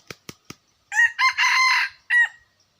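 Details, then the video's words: Red junglefowl crowing, recorded 2021: three sharp clicks, then a loud four-part crow with a short opening note, a brief second note, a long sustained harsh middle and a clipped final syllable, over a silent background. "suab qaib qus qua zoo heev"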